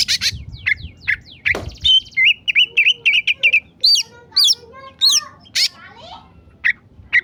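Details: Oriental magpie-robin in an agitated state, singing a busy run of sharp clicks, whistled upslurs and quick wavering notes, with a low thump near the start.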